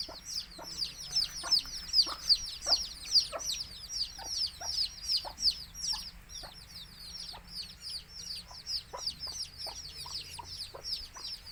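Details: Baby chicks of a Tamil country chicken (nattu kozhi) flock chirping: a dense, continuous chorus of high, thin, downward-sliding peeps from many chicks, with soft pecking-like ticks underneath.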